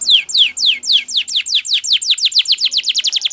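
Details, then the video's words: Spanish Timbrado canary training song: a steady series of descending whistled sweeps that start slow and accelerate, about eight per second by the end. "Canary Singing CHAMPION for Training / Spanish Timbrado Song"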